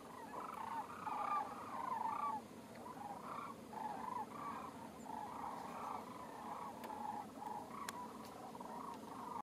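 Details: Sandhill cranes calling; a continuous chorus of rolling, trumpeting rattles from several birds overlapping, with steady background hiss.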